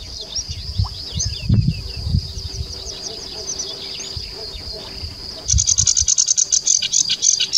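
A sedge warbler's high, scratchy chatter of fast varied notes, swelling near the end into a dense, rapid trilling run, over low rumbling wind.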